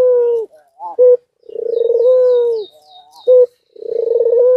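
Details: Nodding white dove in courtship gives long low purring coos, each slightly rising then falling, separated by short abrupt notes. Faint high chirps of other birds can be heard behind it.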